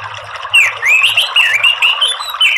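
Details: Red-throated ant tanager singing in the morning: varied whistled and slurred phrases, rising and falling, in a continuous string.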